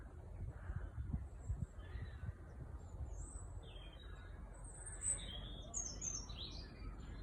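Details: Small birds heard during a relaxing walk, giving scattered thin, very high chirps and brief twitters, mostly in the second half, above constant low-pitched environmental rumble.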